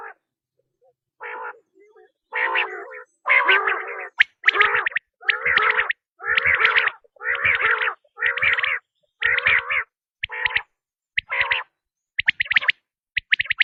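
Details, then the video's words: Quail call used by hunters: a long series of harsh, croaking bursts about one per second, each lined with high chirps, growing sparser and more clipped toward the end. "بٹیر کی آزمائی ہوئی آواز ۔ | Quail Tested Sound | Batair ki Awaz"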